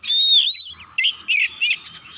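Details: Singing Oriental magpie-robin, recorded to spur other birds to sing: a long sweet whistle wavering slightly, then three short rich warbled phrases separated by brief pauses.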